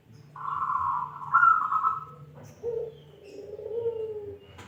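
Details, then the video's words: Local wild-stock zebra dove with a voice prized as crystal-clear, giving a long, bright, trilled coo that slides to a lower, drawn-out purring note, over a faint low hum. "Perkutut lokal alam suara kristal"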